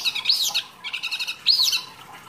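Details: Mini wambi singing masteran song material for training songbirds. Two high arched whistles are separated by a burst of quick, thin twittering notes.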